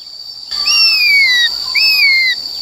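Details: ['Black-throated laughingthrush in forest-style song, played to train the voices of young and wild-caught birds: two long, loud, clear whistles, each sliding gently downward, over a steady high background tone.']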